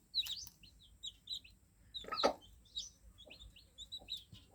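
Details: Fluffy newborn chicks make short, piercing cheeps in scattered clusters with brief pauses between them. One louder crackling knock comes partway through.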